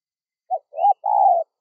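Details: Spotted dove coo meant to draw wild doves: a short soft note, a rising coo and a sustained low coo in one phrase. A faint thin whistle is heard once.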